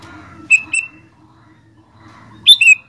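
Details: Sooty-headed bulbul singing actively, two brief phrases of paired bright notes, the second phrase starting higher and sliding down, separated by a quiet gap with a low background hum.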